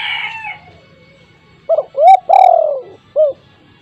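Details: Home-kept spotted dove calling to prompt mute doves to join in: a sliding falling whistle fades first, then a single coo phrase of a short note, a rising note, a long falling note and a clipped final note.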